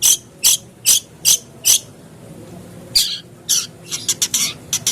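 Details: Long-tailed shrike, played as a lure to make a caged bird sing: five harsh, rasping bursts roughly every half second, a short pause, then more scratchy bursts and quick clicking notes.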